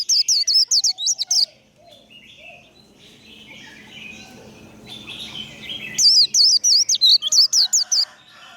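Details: Warbling white-eye singing 'líu' fighting song while fired up. A short run of sharp looping whistles, a spell of faint background chirps and murmur, then a second quick burst of high notes.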